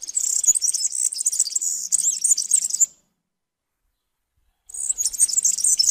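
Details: European serin song: a fast, dense, very high-pitched jingling twitter runs for about three seconds, breaks off into near two seconds of silence, then the same shrill, buzzy, tinkling stream resumes.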